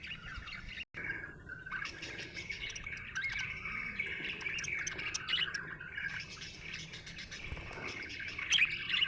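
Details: Happy budgerigar chirping and warbling steadily, a scratchy running chatter with occasional sharper squeaks, a brief dropout early, and louder bright notes near the end.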